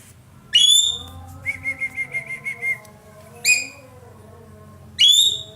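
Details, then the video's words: Ekek keling, a roller, calling loudly: sharp, falling, harsh-edged notes separated by a short burst of rapid even whistled pips, then two more piercing notes. "burung ekek Keling gacor nembak"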